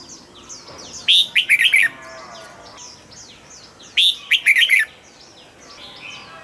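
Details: Caged red-whiskered bulbul, its song used to excite other birds, delivering two bubbly whistled phrases about three seconds apart over a light background of distant twittering.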